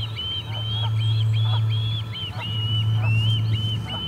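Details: Charlo osprey nest, 8 August 2020, parent returns without fish: drawn-out, slightly arched whistles alternating with shorter chirps, fairly loud, with a persistent low hum in the background.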